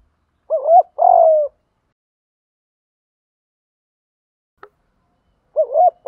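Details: Spotted dove used as a lure, one full cooing phrase of a quick wavering double note and a longer steady coo. After a pause with a faint click, the next phrase begins.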